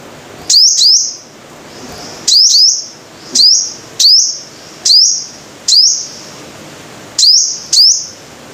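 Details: Five-coloured sunbird song: piercing doubled and single high chips that rise into a short bright whistle, spaced about a second apart, with faint low rumbling noise beneath.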